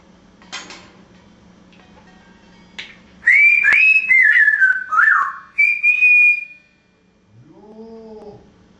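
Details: An African grey parrot, a talking mimic, gives loud, clear whistles that slide up and down, then a brief low nasal sound with stacked tones; a faint hum fills the background.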